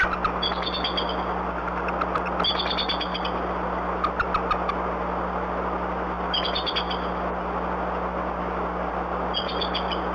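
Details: Bald Eagles at the Decorah N2B nest with nestlings, before dawn after a night storm and owl harassment; the female returns and both parents call. Four bursts of rapid, high staccato chittering notes, each under a second, over steady broadband wind-like noise and a low hum.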